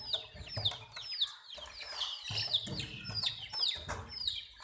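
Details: Hen's baby chicks chirping: loud, high, downward-sliding peeps repeated several times a second in steady bursts, the main sound throughout.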